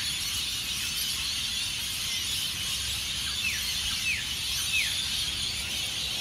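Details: Before sunrise at Burleigh Heads Beach, Queensland, Australia, hundreds of rainbow lorikeets screech in Norfolk Pine roosts. A continuous high chattering roar fills the air, and several sharp, descending squawks stand out near the end.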